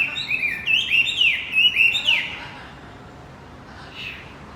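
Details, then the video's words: Rapid chirping run from a male Javan white-eye, used as a lure for a male that has gone quiet. Fast, high, bouncing notes for about two seconds, then near silence. "Pancingan kicau wambi macet"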